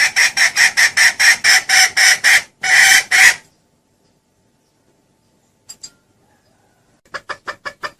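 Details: Female red junglefowl calling so the cock comes to her, a lure recording: a long string of fast, loud, harsh clucks, a pause of silence with two faint ticks, then a softer quick cluck series resuming.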